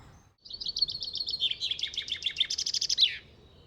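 A common chaffinch sings a bright, rattling phrase of quick repeated notes that speeds up and ends in a flourish, about three seconds long.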